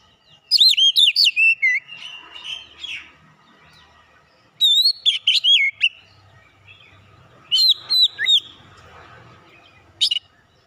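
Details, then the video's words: Oriental magpie-robin lure song, used to rouse another kacer into full song: three bursts of rapid, loud, looping whistled notes separated by short pauses, ending on a single sharp note, over a quiet background. "PANCINGAN KACER LANGSUNG PANAS BONGKAR ISIAN"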